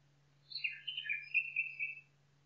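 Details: Singing nightingale in forest, delivering a tumbling phrase of rich warbled notes that runs into a level, buzzy trill near the end, with a continuous low hum beneath.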